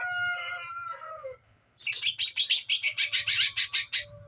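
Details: Greater green leafbird of the Kuningan type, a young bird practising ngeplong song, gives a mid-pitched whistle that slides downward, then after a pause a rapid, even series of about fourteen high, piercing chips.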